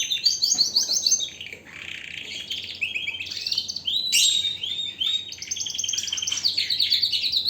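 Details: Canary pouring out strong song: fast trills, rolling chirps and bright whistled notes in continuous varied phrases, loud throughout.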